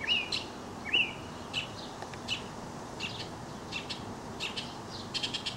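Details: Mockingbird song given during a leaping and tumbling display: two loud whistled chirps open, then softer, scattered short notes at irregular intervals.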